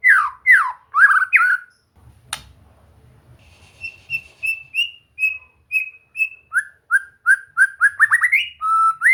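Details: Shama song used in relaxed training to bring a bird into full song: loud down-swept whistles, a click and a pause, then a steady row of high piping notes, and finally quick varied whistles and rising slides.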